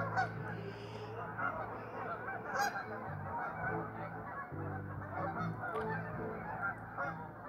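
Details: Nonstop honking from a gathering of restless geese, many overlapping nasal voices merging into one rough chorus over a faint low drone.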